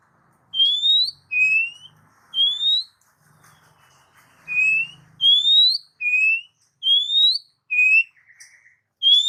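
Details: Oriental magpie-robin (kacer) song played as a lure for pet birds: clear, upslurred whistles repeated roughly once a second, alternating slightly higher and lower notes, with brief gaps and a faint low hum in places.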